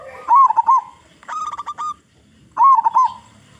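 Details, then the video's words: Local zebra dove, a lure for getting other zebra doves to sing, gives rolling, bubbly coo phrases with a quick trilled ending, three bursts a second or so apart. "Perkutut Lokal Gacor Suara Besar Suara Paling di Sukai Burung Perkutut apa saja"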